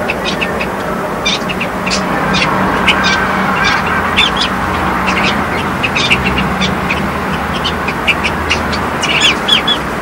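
Silver-eared mesias give short, high chipping notes in quick, scattered bursts over a steady low rumble and hiss.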